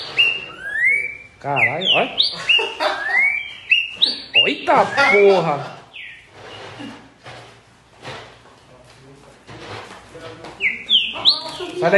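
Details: Green-winged saltator song in bold whistled phrases with upswept and downswept notes, mixed with harsh broadband rasps. It fades into a quiet, noisy middle section, and the whistles resume at the end.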